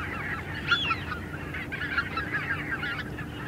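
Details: A small group of Greater White-fronted Geese calling in flight, recorded at close range: overlapping high, yelping honks in irregular bursts, several birds calling over one another, with a steady low hum underneath.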